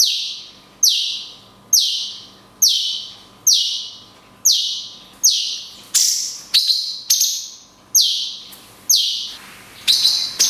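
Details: A cungkok pouring out long 'kunti' shots with natural pauses, recorded to train songbirds: about a dozen loud, high notes dropping steeply, repeated around every 0.8 seconds, growing harsher and more hurried near the end; faint hum.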